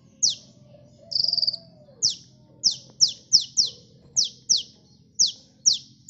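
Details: High, sharp downslurred notes from a lively kolibri sunbird used to lure birds, opening with one chip and a short dry buzzing trill, then about a dozen evenly spaced chips.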